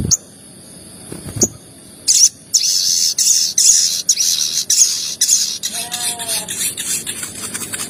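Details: Crested jay calls used as a lure to stimulate other crested jays into calling quickly; loud, rasping, noisy bursts in an uneven rapid series, some longer chattering phrases, after two brief opening clicks and a short pause.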